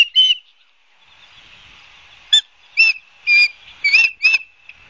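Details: Osprey at its Barnegat Light nest in New Jersey, live camera, 12 September 2022 around 16:34; one shrill whistle, a gap of nearly two seconds, then five loud, slurred whistled chirps spaced roughly half a second apart.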